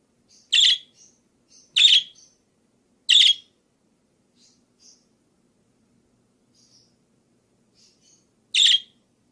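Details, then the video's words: Budgerigar (parkit) chirps in a variety recording for training songbirds: three harsh chirps about 1.3 seconds apart, a pause filled with faint thin twitters, then a fourth chirp. "Suara Kicau Burung Parkit Berbagai Variasi"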